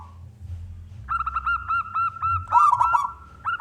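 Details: Local male zebra dove of contest stock singing to draw other doves into calling: a steady train of rapid, evenly spaced rolling coos, a burst of louder overlapping cooing near the end, faint low hum beneath.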